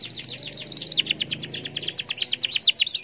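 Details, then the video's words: Canary singing to provoke a response from other canaries: a high rapid trill of short chirps over a faint low hum, loosening into quick varied twittering notes. "Kenari MANA saja BAKAL LANGSUNG Respon,,!! Dengan Pancingan Kenari Gacor Cuit Cuit EMOSI IN"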